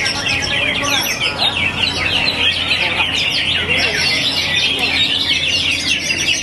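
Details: Greater green leafbird, shaped for a hyper "ngentrok" contest-field character, pouring out a fast, dense, high chattering song of rapid whistles and trills without pause; other songbirds and faint speech blend in.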